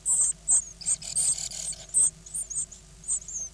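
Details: Nine hungry great tit nestlings in their nest, recorded on 24 May 2010 during feeding, produce shrill, high-pitched begging squeaks in quick, uneven bursts that overlap into a brief hissing chorus.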